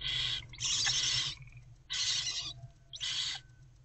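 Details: Barn owl owlets in their nest box around 4 am on 11 February 2024, mother out on a break: three loud, breathy, rasping hisses, the first longest, spaced about a second apart.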